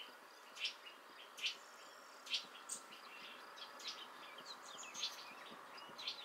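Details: A young hawfinch (Coccothraustes coccothraustes), fledged a few days ago with parents nearby, gives sharp, high ticking calls about once a second at an uneven pace, over a steady low hum, possibly a bee.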